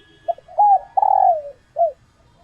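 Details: Female spotted dove in laying condition, kept bird, calling so males get excited and coo to attract a mate; clipped opening notes, a level coo, a long burry coo gliding downward and a final arched note.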